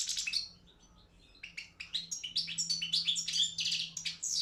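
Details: European goldfinch of the Balkan subspecies Carduelis carduelis balcanica, entered in an online world song championship run by a Serbian breeders' association; after a quiet second, a fast run of high twittering, buzzy notes and bright trills builds steadily.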